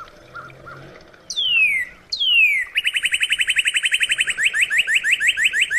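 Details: Northern cardinal song opens with two clear whistles falling steeply in pitch, then breaks into a quick run of repeated chips that slows into slightly rising, separated notes.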